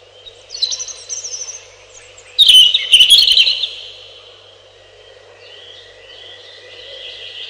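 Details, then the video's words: Singing robin giving high, thin warbled phrases, then a loud rush of quick chattering notes, followed by softer trailing twitters and a faint sustained whistle. "1 Hour Robin Bird"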